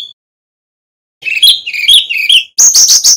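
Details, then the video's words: A male Brown-chested jungle flycatcher from Bali gives a run of warbling high whistles after a silence, ending in a harsher, buzzy string of notes; intended for training other birds. "Kicau Burung Sikatan Rimba Dada Coklat (SRDC) Bali Jantan Nyuling Gacor Isian Keluar"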